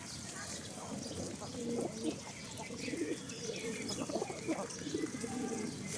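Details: Domestic pigeons on a farm at feeding time, one female kept with two males: low throaty coos repeated in short bursts throughout, with faint background hiss and a little human speech.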